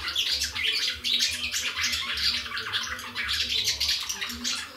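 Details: Swallows singing in Gierałtowiec, Poland, on 6 June 2019: a dense, continuous chatter of high twittering and scratchy chirps from several birds, with a low hum underneath.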